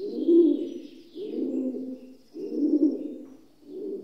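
Rock dove giving low, throaty, rolling coos, about four phrases in four seconds, each swelling then fading; faint high twittering from other birds behind.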